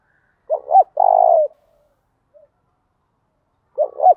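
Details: A spotted dove sings in the thổ đồng style, a song for prompting males to answer. One full phrase of two short bent coos and a long buzzing coo, then the next phrase begins.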